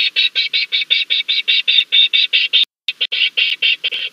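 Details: Leach's storm petrel sheltering at night in a vacant, completely dark Cahow burrow on Nonsuch Island, Bermuda, 20 July 2019, in an encounter with a land crab, gives a harsh, buzzy chatter of about five notes per second, broken by one pause.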